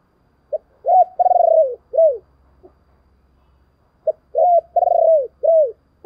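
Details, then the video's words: Spotted dove calling as a lure to excite and attract wild doves. Two identical phrases about four seconds apart, each a short note, a rising coo, a long pulsating coo, and a final downslurred hoot, with near silence between. "tiếng chìm cu gáy"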